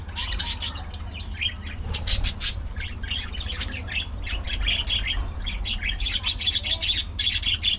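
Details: Colony of social budgerigars: loud clusters of sharp chirps near the start, followed by a steady, rolling warble of high chattering notes that grows busier toward the end, over a low hum.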